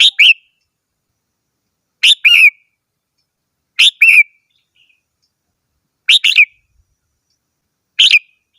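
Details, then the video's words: Red-whiskered bulbul repeating brisk two- or three-note whistled phrases roughly every two seconds, each a sharp rising note followed by a lower slurred one, with clean silence between. "chim chào mào hót - tiếng chim chào mào hót"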